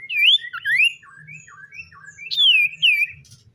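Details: In the morning, a common iora sings clear, swooping whistles that rise and fall in quick phrases, with softer short notes between and a faint low hum beneath.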